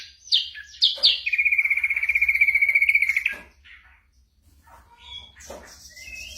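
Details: Ashy drongo imitating other sounds, used for training songbirds: two sharp chirps, then a long steady rattling trill of about two seconds, followed by quieter scattered chirps.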